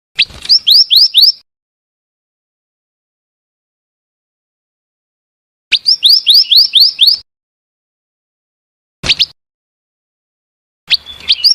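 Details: Female scarlet minivet giving two fast bursts of five or six high, rising whistles separated by a long pause, followed by a few isolated single notes; no other sounds intrude.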